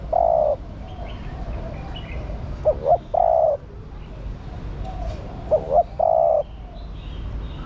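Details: Spotted dove female calling to stimulate the male: a long coo, then two full phrases of two short rising coos plus a drawn-out level coo, spaced roughly three seconds apart.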